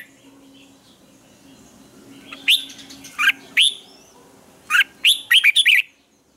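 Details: Red-whiskered bulbul morning song used as a training lure for caged birds, with double twisted notes: a few separate short bright whistled notes, then a quick burst of warbling notes near the end, over a faint steady low hum.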